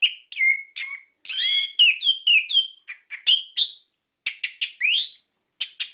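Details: Orange-headed thrush song used to stimulate caged birds to sing: varied whistled phrases, some sliding and some rising, delivered in rapid bursts with brief gaps.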